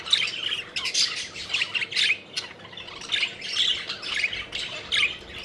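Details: Budgerigars having fun while flying, a group producing rapid scratchy chirps and squawks in rhythmic bursts roughly every half second, continuous lively chatter.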